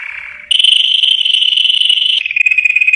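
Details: Yellow canary singing: a steady rolled trill that jumps to a higher, rapid buzzy roll held for nearly two seconds, then drops back to a slightly lower rattling tour. No other sounds.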